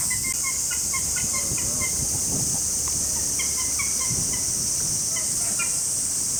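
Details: Greylag goose recorded on 21 July 2018 at Osaki Park Children's Zoo, Saitama, Japan: a quick, irregular string of clipped honking notes, some overlapping, against a constant shrill background hiss and low rumble.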